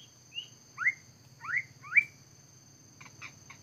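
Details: Scarlet minivet at a trapping site in Vietnam, uttering sharp rising whistles about every half second, four in a row, then soft clicking notes, with a constant thin electronic hum behind.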